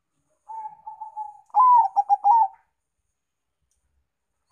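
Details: Zebra dove, Bangkok and local types, song used as a lure for other birds: a soft wavering coo, then louder rolling cooing notes in a quick burst, then silence, in a quiet setting.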